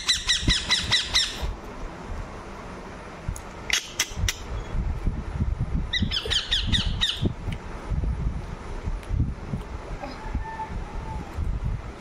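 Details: Pet ringneck parrot: a fast burst of harsh repeated squawks at the start, scattered sharp calls and another squawking run midway, then mostly quiet room noise with faint handling sounds.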